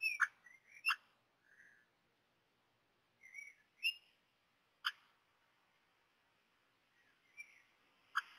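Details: Common blackbird chicks at the nest while being fed, still needing coaxing to eat: repeated sharp clicks mixed with thin wavering squeaks in short bursts, pauses between groups.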